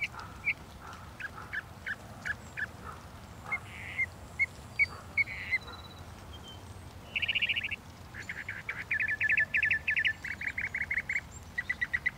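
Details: {'text': 'Northern mockingbird song: scattered short sharp notes, then a run of varied phrases, including a dense buzzy burst and a series of rapid repeated chattering notes, each type repeated several times before switching.'}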